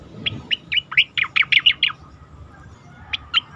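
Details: Competition-training recording of an Asian pied starling: a rapid string of bright, clipped chirps and downward-sliding whistled notes lasting about two seconds, followed by two isolated chirps.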